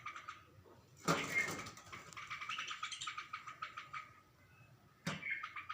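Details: A bulbul seeing itself in a glass gives bursts of harsh, chattering chirps with rapid notes, loud at first and again near the end, with a softer scratchy background between.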